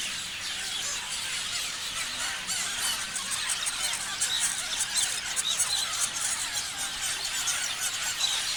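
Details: Many parrots chatter at once in a steady wall of shrill chirps and squeals, with the busy high-pitched chorus growing slightly louder and more crowded in the second half.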